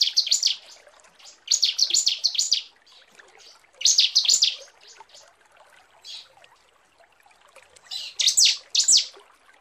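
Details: Female bar-winged prinia calling to the male with short bursts of three or four high, rapid, sharp notes, separated by pauses of a second or more, with a faint fainter note between bursts.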